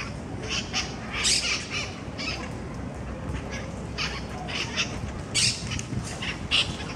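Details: Squabbling monk parakeets contest food in a Barcelona park, Parc de la Ciutadella, Spain, while mitred parakeets squawk overhead in the trees; rasping, grating squawks come in irregular bursts, with louder clusters near the start and toward the end, amid constant ambient hum.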